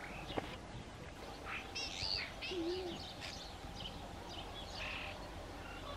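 A starling's varied medley of wheezy whistles, squeaky chirps and rattly notes, with a low whistled slur mid-clip, over steady background rumble.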